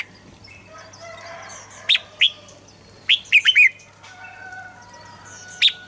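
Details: Red-whiskered bulbul song for training or stirring up birds: a few sharp chirps, then a quick run of three or four bouncing notes and a final chirp, over faint sustained whistles from other birds.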